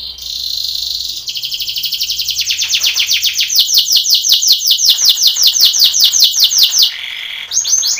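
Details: Belgian canary singing a contest training song: a steady high roll opens, then a long run of rapid descending sweeps repeated about two or three times a second, ending in short bright notes.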